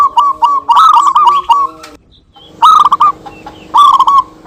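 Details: Local zebra doves trading songs, good as a lure: three phrases of rapid, clipped cooing notes, the first long and rolling, then two shorter bursts after a brief silence.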